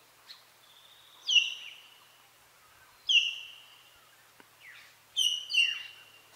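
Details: Common hill myna in Buxa Tiger Reserve, Alipurduar, West Bengal, India, sings loud, clear whistles that drop sharply in pitch, in bursts about every two seconds, with a faint steady hiss behind.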